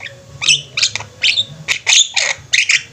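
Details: Javan mynas kept together in a flock, singing actively: harsh, scratchy squawks and buzzy bursts come in uneven clusters about every half second, with a faint low hum underneath.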